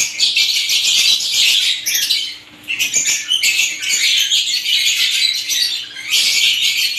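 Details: Several different kinds of lovebirds chirp together in a dense, high, scratchy chatter of overlapping squeaks and twitters, briefly dipping quieter near the middle before building again.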